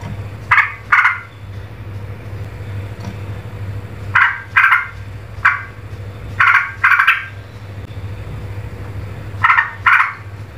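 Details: Yellow-vented bulbul (Pycnonotus goiavier), agitated call: agitated calling that provokes rival birds.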